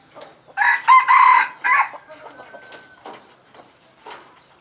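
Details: Aceh red junglefowl used with an F1 hybrid decoy, giving a short harsh crow of three stuttered bursts, followed by faint scattered clucks and a thin whistle-like tone.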